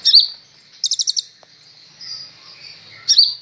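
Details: Kolibri ninja sunbird, recently acquired and singing energetically. A bright chirp starts the phrase, a quick run of five high staccato notes follows, then a soft buzzing stretch and one more sharp chirp.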